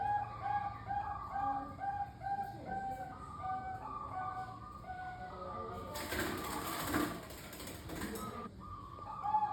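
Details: Zebra dove of the Bangkok type, played to encourage captive perkutut to coo: soft repeated staccato coos in overlapping series, then a burst of broad hissing noise before the cooing resumes.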